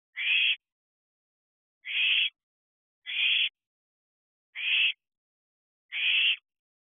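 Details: Wild owls at a nest box, allopreening at 3:05 am: short harsh hissing screeches evenly spaced, about one every second and a bit, five in all, with silence between.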